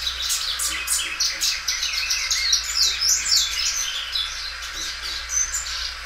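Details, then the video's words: Belgian canary, a well-kept bird singing loudly and stretching its song several times; fast high twittering with repeated chirps and short whistled sweeps, steady throughout. "canário belga dobrando o canto."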